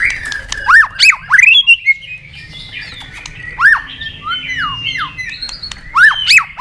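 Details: White-rumped shama in competition singing, a caged contest bird: loud, sharply looping whistled notes sweeping up and down, separated by sustained level whistles, with bursts of strong phrases at the start and near the end.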